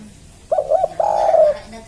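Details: Spotted dove calling with a village feel: two short soft coos followed by one long, level, hollow coo, the whole phrase lasting about one second against a quiet background.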